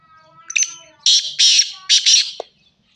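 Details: Black francolin giving a short stuttering note, then three loud, harsh, scratchy notes, ending with a brief lower click. Otherwise quiet.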